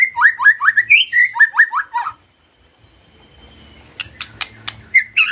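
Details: A white-rumped shama singing in response to a lure recording delivers about ten quick, repeated up-slurred whistles in a row, then falls silent before several sharp dry clicks and a final whistle.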